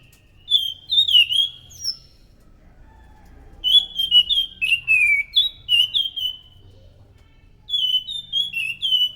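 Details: Orange-headed thrush song used as a lure to draw in other thrushes: loud, clear whistled phrases of sliding, falling notes, delivered in bursts separated by short pauses.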